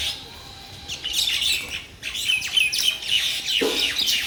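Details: Mynas in a Bangladeshi village start quietly, then break into loud, grating chirps and rasping squawks, fast and irregular, for the final three seconds.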